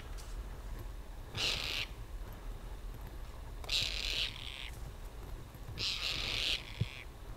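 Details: In a mid-winter Ladakh freeze in the Himalaya, a Tibetan partridge utters three coarse, buzzy bursts, each roughly half a second to a second long, spaced about two seconds apart, with a faint low thump near the end.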